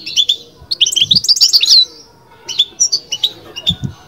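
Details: Bitbita-style song of a European goldfinch: a rapid, liquid cluster of high twittered notes, a pause, then shorter bright chirps in quick succession over a quiet background with soft low thumps.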